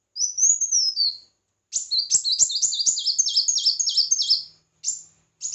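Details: Red-whiskered bulbul in competitive singing: a clear whistled phrase rising and falling, then a fast run of bright, repeated high notes with short gaps between bursts.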